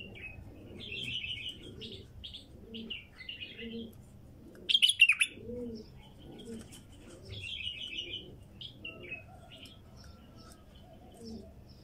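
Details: Wild female bulbul delivering several separate warbled phrases, one loud and sharp near the middle, with quieter chirps between, against a background of low, evenly repeated dove coos.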